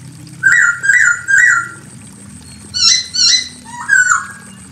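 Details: A female Chinese hwamei calls the male with three level, slightly rising whistles, a pause, then two sharp high chirps and a falling slurred whistle.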